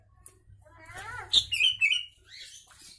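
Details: Short burst of sooty-headed bulbul song carrying Javan myna imitations, a tutor recording for songbirds: rising chattery notes lead into a clear, warbling three-part whistled phrase, then fade, over a low hum.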